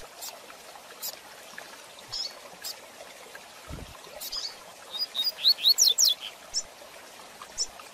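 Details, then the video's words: Coleiro, or double-collared seedeater, in a fast-paced Tui Tui Zel Zel training song. Mostly sparse high chips, then near the end a rapid run of about seven bright, steeply swept whistles, with a brief low thump midway. "Tui Tui Zel Zel de Fibra Canato Rápido Para Treinamento e Encarte - Coleiro Professor Aprendizado"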